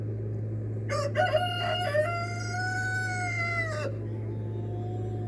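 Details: A rooster crows once, possibly another rooster heard by a recovering fox-attacked rooster: a three-second harmonic call, a few choppy notes, then a long, steady, slightly falling cry over a low constant hum.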